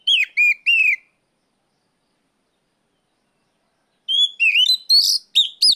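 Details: Oriental magpie-robin calling to challenge a rival, loud ngeplong style, kept bird: three quick falling whistles, a pause of three seconds, then a fast run of varied bright whistles and chirps.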